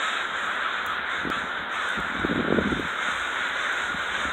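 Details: Flock of crows in Renton, Washington: a dense, unbroken chorus of harsh overlapping caws with no quiet gaps, and a few low thumps near the middle.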